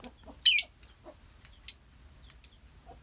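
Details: Lovebird colony giving short, shrill high chirps in scattered bursts, some squeaky double notes, with faint lower twitters between them.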